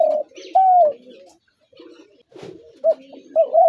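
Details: Spotted dove giving soft, low cooing notes, one longer steady coo followed after a quiet gap by short rising coos, with faint chirping of other birds behind.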